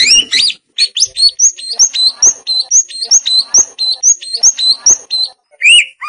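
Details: Greater green leafbird (cucak ijo), described as a contest champion prospect, singing a loud, rapid series of short, clear upslurred and buzzy notes. The notes repeat several times a second with brief pauses, with a few faint lower clicks behind.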